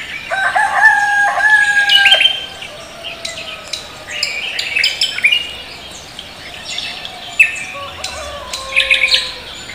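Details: Cucak kombo, called koak kelapa, singing energetically in the morning: long steady whistles and sliding notes mixed with dense bursts of sharp high chirps and twitters, with several callers overlapping.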